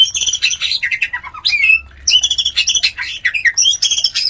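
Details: Mating white-rumped shama calling to stimulate other shamas to breed; harsh, squawky chattering notes in quick bursts with a brief pause midway.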